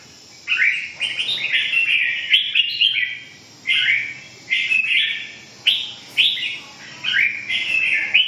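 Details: Song of the Red-whiskered bulbul: a series of short, bright, bubbling phrases, each starting with an abrupt slur, repeated roughly every second with small gaps, over a faint steady background hiss.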